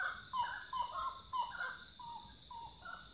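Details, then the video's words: Common gallinule calling with a few quick clucks followed by spaced, flat single notes. A bright, continuous insect trill sounds throughout. "lindo canto da galinha da,agua ou frango da agua"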